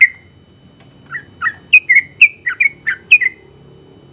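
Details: Champion Sooty-headed bulbul used as a training master, giving a short phrase: a lone whistle, a brief silence, then about eight chirpy, ringing notes in quick succession before falling quiet.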